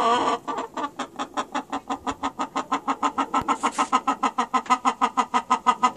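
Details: Chicken clucking steadily through the whole stretch, about thirty short, rough, evenly spaced notes at a brisk three to four per second, without pause.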